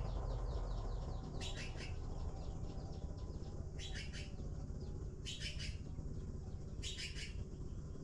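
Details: Nestling blue magpies waiting for their food give rasping clustered bursts about every one and a half seconds. Faint thin ticking notes sound between them over a deep background rumble.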